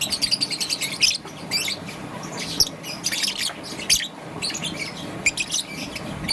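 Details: Young peach-faced lovebird, green and yellow, chirping in the morning, opening with a fast regular string of high chirps, followed by scattered raspy bursts.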